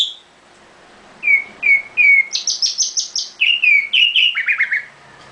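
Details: Caged nightingale singing: three clear, slightly falling whistled notes, then a run of short high buzzy notes, followed by slurred whistles and a fast descending series of chirps, with a quiet background.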